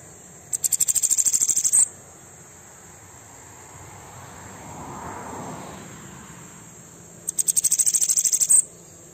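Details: Bananaquit aggressive song, meant to fire up other bananaquits: two very high, buzzy, rapidly pulsed trills, each about 1.3 seconds long and about six seconds apart, with a faint low hum between them.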